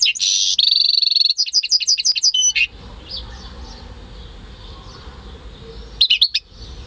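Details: European goldfinch × canary hybrid, bred at home, recorded May 2015. Loud buzzy trill opens, then a quick series of repeated high chirped notes, followed by quiet room noise and a brief final burst of twitters.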